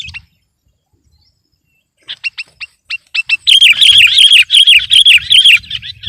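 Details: A sooty-headed bulbul sings to beat rival birds: a quiet start, then a row of sharp single chirps that builds into a loud, rolling, bubbly warble.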